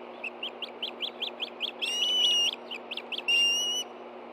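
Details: Hungry Ospreys at a Montana nest in Hellgate Canyon, 24 August 2013, reacting to a fish delivery: rapid high chirps, about three per second, broken by two long, bright, level whistles.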